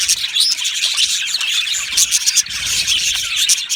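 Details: Australian budgerigar colony in an aviary: a lively chorus of high chirps, short whistles and chattering trills from numerous birds, steady from start to finish.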